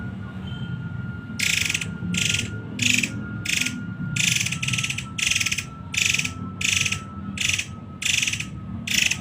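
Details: Muray Air delivering 'tembakan rapat': grating rattled bursts repeated about every half second after a quiet start, over a faint constant hum and low rumble.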